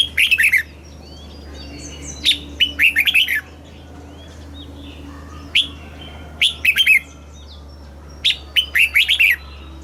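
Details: Caged red-whiskered bulbul singing southern Thai master-style song meant to excite other birds: repeated lively phrases of clear, downslurred whistles and warbles, with faint softer calls and a low hum beneath.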